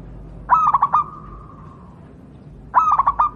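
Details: Javanese zebra dove of wild local stock, used as a tutor for other doves: two bursts of four quick stuttered cooing pulses, the first trailing into a long, faint, level whistle.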